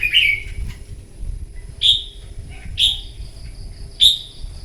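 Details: Red-whiskered bulbul, wild-caught, in a morning singing duel: a bubbly opening phrase followed by three clear, bright whistled notes at about one-second intervals, set against a persistent thin high whine.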